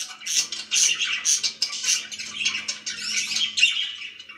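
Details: Pet budgies give rapid, squeaky chirps and a scratchy warble that runs on without a break, with a faint steady hum underneath.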